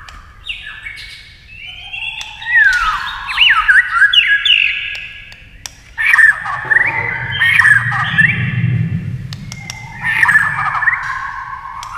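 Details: White-rumped shama pitted against a TV in a singing duel; bursts of rich whistled and buzzy phrases alternate with brief pauses, while a low rumbling hum swells midway.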